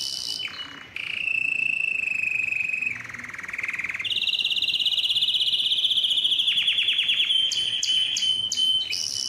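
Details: Male canary song used to train young birds and encourage breeding: varied sustained trills at different pitches, switching abruptly between low rolls and higher buzzing tours, ending with quick clicking notes.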